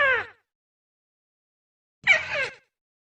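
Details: Rufous-fronted prinia lure call for trapping birds, two short rasping bursts of quick downward-slurred notes about two seconds apart, with quiet between them.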